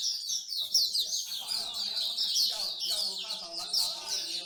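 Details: Songbirds at a bird singing corner in Singapore, a favourite pastime of bird lovers: a dense, continuous chorus of high, rapid twittering and warbling phrases overlapping without pause, with faint murmuring voices beneath.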